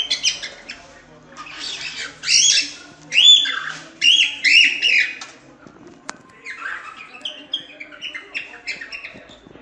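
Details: Cockatiel giving a burst of harsh squawks and warbling whistles, then a click, followed by a quieter string of chirping notes.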